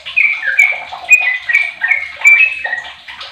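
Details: Sooty-headed bulbul aged 15 years, used as a lure bird to set other bulbuls singing, pours out a steady series of bright whistled notes, each slurring downward, repeated roughly every half second.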